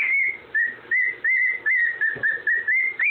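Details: Short burst of a parrot whistling the Andy Griffin tune, evenly spaced notes at a steady pitch, roughly one every half second, ending on an upward flick.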